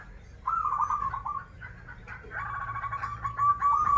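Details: Local zebra dove from Banten singing in krital style: a bubbling descending coo phrase, then a longer string of rapid rolling notes ending in a level, stuttered trill, with soft chatter in the background.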